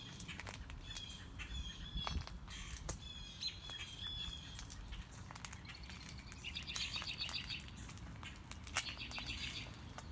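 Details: Mockingbird running through its repertoire on a morning walk: thin clear whistles and short chips early, later two bursts of fast buzzy trilled notes, with scattered ticks and rustling.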